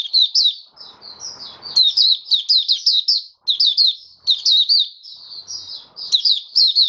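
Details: Caged oriental white-eye on the fifth day after its monthly deworming, January 2022, singing 'buka sing': nearly continuous high, sweet twittering phrases broken by brief gaps, with a faint rustling noise early on.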